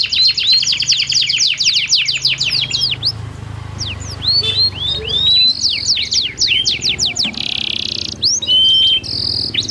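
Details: Two canaries trading song, meant to prompt silent canaries to sing: long run of quick repeated chips turning into upward whistled slides and a buzzy high roll, with a low background hum.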